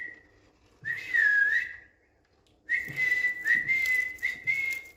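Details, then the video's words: Indian green ringneck parrot kept as a pet, whistling on a bed: a short level note, then a wavering whistle, a pause, and a long run of steady whistles with slight dips and soft thumps. "Smart Whistling Indian Green Ringneck Parrot Talking on Bed"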